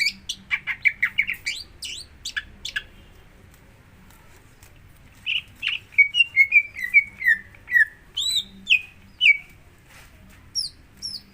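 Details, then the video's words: Singing greater green leafbird, used to prompt another bird to sing: busy high chirps and sweeps, a quiet gap, then a fluent series of descending whistled phrases and scattered high notes. "Pancingan Untuk Cucak Hijau Agar Mau Bunyi"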